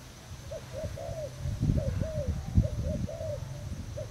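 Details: Thai-stock spotted dove kept as a decoy, 18 June 2018: short arched coos interspersed with longer drawn notes, partly overlaid by loud low thumping and rustling noise.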